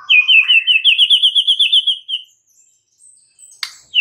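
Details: White-rumped shama singing in the morning: a fast run of bright, buzzy trilled notes rising slightly, repeated about three times a second for two seconds, then quiet with a brief sharp click.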